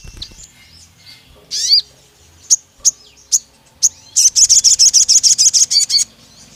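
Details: Pied fantail in an agitated state gives a loud rising squeal, then spaced single chips, then a fast, even train of bright high notes lasting nearly two seconds.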